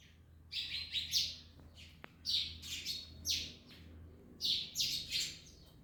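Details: Parrots eating an orange give harsh, raspy chirps in short irregular bursts, several clustered within each second or two, over a low indoor hum and a single sharp click.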